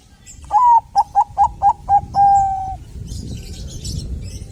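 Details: A Bangkok zebra dove sings as a prompt for other doves: one long coo, a quick run of five clipped coos, and a long steady closing note, followed by faint high chirping of other birds.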